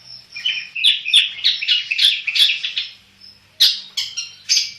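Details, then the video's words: A black-headed long-tailed shrike in full song delivers rapid, harsh chattering notes mixed with sharp high chirps in a quick run, then a pause and a few more loud, scratchy bursts. "burung cendet kepala hitam gacor"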